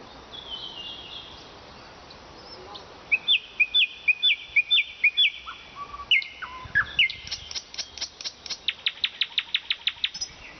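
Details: Nightingale singing in the city of Vologda, Russia: a faint high whistle, then a run of repeated clear whistled notes, short chirps, and a fast series of sharp ticking notes, each phrase distinct against a quiet background.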